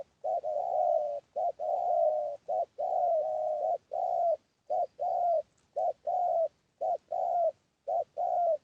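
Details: Spotted dove giving a lure call to provoke wild birds. Soft hollow coos in paired phrases, a quick note then a longer steady one, repeated at an even pace with near-silent gaps between.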